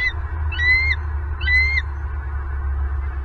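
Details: Bald eagle on a Southwest Florida nest camera, November 2022: two clear, high whistled notes roughly a second apart, each rising slightly before dropping off, with a continuous low rumble of wind beneath.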